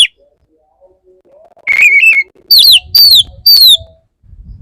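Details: Male Oriental magpie-robin courting a female: a wavering whistled phrase followed by three loud descending slurred whistles about half a second apart, with faint low rumbling.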